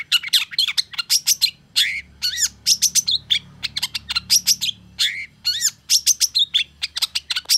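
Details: Long-tailed shrike reacting to a rival, delivering a fast, unbroken stream of harsh chattering and scratchy notes mixed with upslurred whistles, loud and high-pitched throughout.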